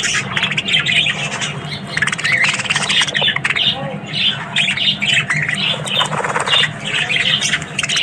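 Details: A group of Australian budgies sings in the morning: continuous overlapping chirps, squeaky whistles and raspy squawks in a busy chatter, over a constant low hum.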